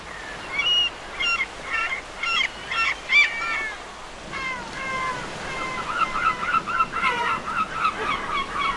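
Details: At a beach on a lazy day, several gulls call in a noisy chorus of harsh, nasal, repeated notes, some falling in pitch, the callers overlapping toward the end.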